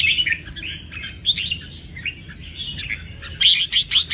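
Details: Red-whiskered bulbul, a kept cage bird, giving a rambling chattering warble of short slurred notes. The song ends in several loud, sharp bursts over a steady low hum.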